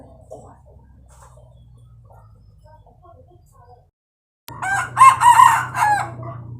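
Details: Red junglefowl rooster crowing: faint scattered soft sounds and a pause, then a sudden loud, harsh multi-part crow of about two seconds with rising and falling segments over a low hum.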